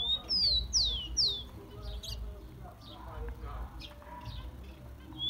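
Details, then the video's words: Tico-tico, the rufous-collared sparrow, singing a warm-up song meant to fire up captive birds: a bright run of three or four descending slurred whistles, then softer chips with a low human voice murmuring underneath. "CANTO DO TICO TICO MELHOR ESQUENTA DE TICO TICO PRA FOGUEAR ESQUENTAR SEU TICO TICO"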